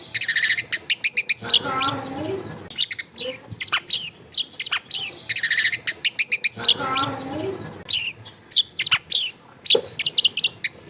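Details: Long-tailed shrike therapy recording made in a crowded residential area to stir a lazy bird into singing: rapid high chattering and trills, interrupted twice by a lower harsh, nasal rasping phrase lasting about a second.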